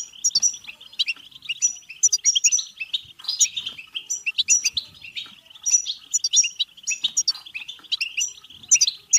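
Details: A long run of European goldfinch batbata song, intended to stimulate singing and mating: lively twittering mixed with repeated high whistled notes and short buzzy trills, pouring out steadily with barely a pause.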